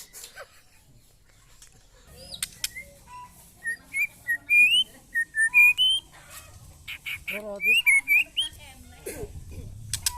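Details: White-rumped shama tested for fighting spirit against neighbours' birds, singing loud, clear whistled phrases that rise and fall in varied short notes, with some slurred upward sweeps, after a quiet start and a few sharp clicks.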